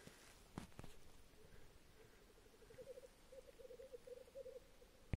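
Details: Black grouse (Lyrurus tetrix), lek song: courtship display at the lek.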